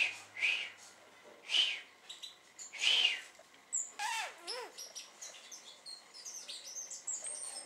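Great tit gives three harsh, buzzy bursts about a second apart, then a scatter of thin, high chirps and short whistled notes.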